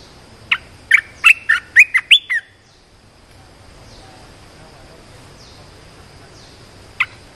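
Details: Red-whiskered bulbul singing as a decoy to lure a wild bird: a fast sequence of six or seven crisp whistled chirps over two seconds, then a long pause and one more lone chirp near the end.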